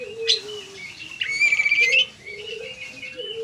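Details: Oriental magpie-robin: short whistled and buzzy song phrases over a steady low tone and background hiss.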